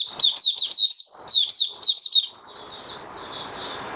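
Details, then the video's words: 'Buka sing' song of a caged oriental white-eye, 20 January 2022, fifth day after deworming: a fast string of sharp, bright chirps, then softer, smoother high warbles over a rising hiss of background noise. "Mata Puteh Raja Video 1 buka sing"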